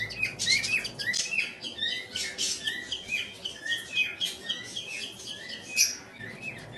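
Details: Home-bred cockatiel chicks being fed by their parents beg with rapid, rasping, high-pitched chirps that pulse several times a second.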